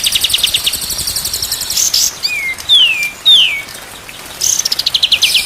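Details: Whistled song of a white-rumped shama, used for training birds to sing day and night: three clean downward-sliding whistles in a row, with steady high buzzing pulses before and after.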